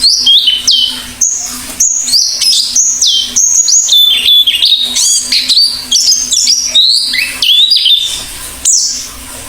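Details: Oriental white-eye singing vigorously, a varied stream of high, bright chirps and slurred whistles at changing pitches, rushing along almost without pause, with a faint low hum behind.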